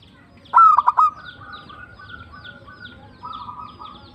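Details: Singing local zebra dove in tumbak cucukan style: one loud phrase of a whistled note and four rapid clipped coos, followed by faint rolling coos from other doves.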